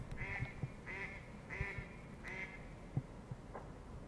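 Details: Duck calling at night, a returning bird that quacks nightly until one o'clock: four loud, evenly spaced nasal quacks followed by faint thumps and knocks in the background.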